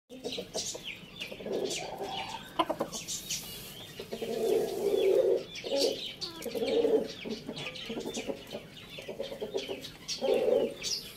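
Rooster calls come in hoarse, mid-pitched bursts about a second long, repeating every couple of seconds, with clucking and faint high chirps of small birds behind.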